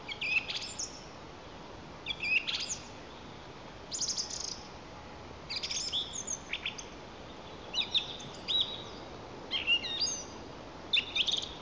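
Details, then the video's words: Song Thrush (Turdus philomelos) singing in spring, 11 April 2024, Lower Kama National Park, Tatarstan: loud, high, varied phrases, each a quick cluster of whistles and sharp notes, every one to two seconds against a quiet background. "The Song Thrush sings"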